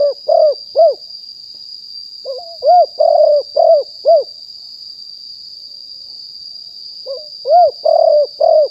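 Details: Spotted dove, stated to be fully wild, recorded live in 2021 for luring other doves; three bursts of soft, hollow, rounded coos, each opening with a brief rising note, against a constant high-pitched electronic tone.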